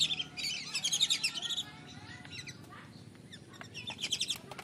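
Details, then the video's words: Lure recording of lesser whistling ducks, meant to bring them down: a burst of rapid, high, thin whistles opens the clip, then sparse scattered notes, then another quick whistled burst near the end. "SUARA PIKAT BURUNG BLIBIS"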